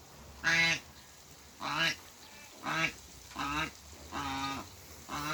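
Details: African goose couple at a farm meeting; five drawn-out, nasal honks spaced about one second apart, the first loudest, each with a rich stack of overtones and a slight rise and fall.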